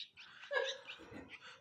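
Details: Orphaned Indian pied myna fledglings, hand-raised after their mother died, give harsh, rasping squawks in quick overlapping bursts as a carer coaxes them inside to be fed, a brief low human voice mixed in.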